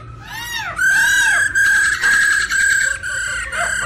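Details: Caged black-throated laughingthrush responding to a female's rolling call. Loud, sustained, harsh tones with strong overtones are held for about half a second each and repeated in a steady chain, with bent notes at the start.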